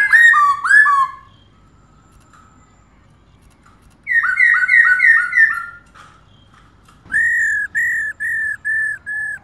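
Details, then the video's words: Continuous calling by a female black-throated laughingthrush meant to stimulate males. A rich, tumbling burst opens, followed by a rapid series of about seven falling whistles, then six evenly spaced, flat whistled notes. "KHƯỚU MÁI RÒ LIÊN TỤC KÍCH TRỐNG CỰC NHẠY"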